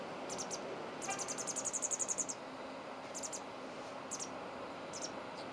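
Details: In Exeter, parent pied wagtails feed their chick: a long fast train of high, sharp, thin begging notes swelling in loudness, then shorter bursts of two or three notes, over a constant low background roar.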